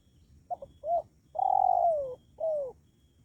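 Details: Luring call of a spotted dove for attracting wild birds: two brief notes, a rounded coo, then a long drawn-out coo that drops in pitch, closed by a shorter falling coo.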